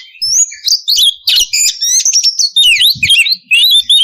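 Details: Female oriental magpie-robin in breeding condition calling to a male. Dense, rapid run of high whistles, rising and falling sweeps and harsh chatter, almost continuous, with a few short gaps.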